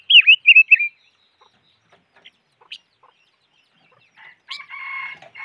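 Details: Calls of the bird named noog rheeb or chim ngũ sắc: three quick wavering whistles open the clip, followed by scattered faint clicks and then a buzzier, harsher sound near the end.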